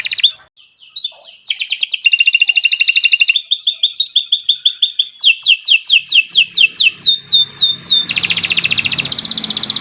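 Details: Canary of the Indonesian Kenari Nusantara type in a long, continuous song used as a master recording for training other birds: rapid trills and buzzy rolling tours, downslurred repeated notes, high whistled phrases shifting every second or two.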